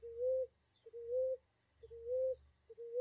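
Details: Ground dove calling in a natural setting, giving short, low, slightly rising coos at an even pace, about one per second, over a faint steady high hiss and a low background hum.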